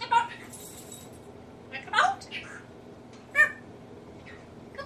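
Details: Indoor African grey parrot imitating people, with talking-like syllables and short harsh bursts, including laugh- or burp-like noises, separated by brief pauses.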